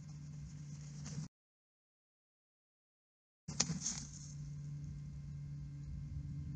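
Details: Low electrical hum from a nest camera at the Bald Eagles' nest, cut by a two-second dead silence, then a short clatter before the hum resumes.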